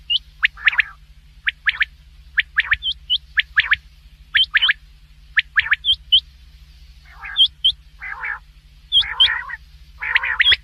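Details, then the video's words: Black francolin uttering rapid, sharp chirping notes in twos and threes, then several grating, buzzy rasps near the end. Constant low humming in the background. "Big Quail Sound"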